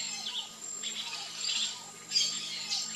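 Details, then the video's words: Variable oriole (Icterus pyrrhopterus), locally encontro or primavera, delivering busy high warbled chirps with brief slurred whistles below, a louder sharp burst near the end, steady thin hum behind. "ENCONTRO canto (ICTERUS PYRRHOPTERUS), VARIABLE ORIOLE"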